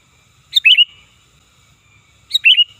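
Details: Sooty-headed bulbul calling as a lure for trapping: two loud, liquid warbled phrases, each a sharp high note dropping into a quick bubbly flourish, separated by nearly two seconds of quiet.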